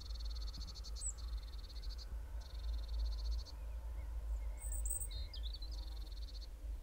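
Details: Owl calls from a nest box as the first chicks arrive: rasping, pulsed bursts about a second long with brief high chirps over a steady low rumble.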